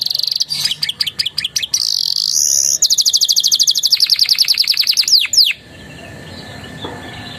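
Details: Canary master song with Javan tesia and bar-winged prinia phrases: loud clicking notes, a buzzy high note, then a long fast rattling trill and descending sweeps, ending abruptly with faint background hiss.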